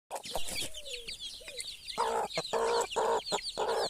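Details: Broody hen with her chicks: low, harmonic clucks in short bursts, repeated several times, while the chicks keep up a constant thin, high peeping overhead.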